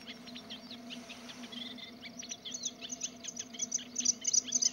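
A Bluethroat sings a rapid, varied jumble of high chirps, trills and buzzy notes, ending in bright ringing metallic notes, over a faint low hum.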